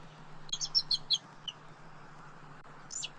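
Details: Male bald eagle at its nest in southwest Florida at night, arriving around 1:56 AM on 2 November 2024 to rest and protect the nest; a quick series of high, thin chirping notes, then a single high squeal, over a steady low hum.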